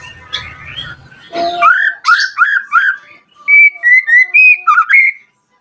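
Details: White-rumped shama song played as a lure to call rivals and provoke other shamas to respond: loud clear whistled phrases with slurred, rising and falling notes, a brief low rumble at the start, then a rapid run of ringing notes.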